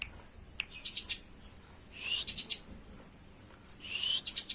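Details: Fighting Eurasian tree sparrows, used to train pet birds: short series of high, sharp chirps broken by louder harsh, hissy bursts, repeated in clusters across the recording.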